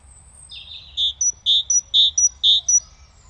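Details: Great tit song, garden bird recording: after a brief slurred lead-in, a two-note teacher-like phrase repeats four times, a fuller lower note alternating with a short high thin note, evenly spaced every half second.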